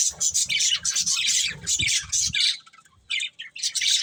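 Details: Breeding pair of budgerigars uttering harsh, squawky chattering bursts, pausing briefly near the middle before resuming, with low rustling thumps under the first half.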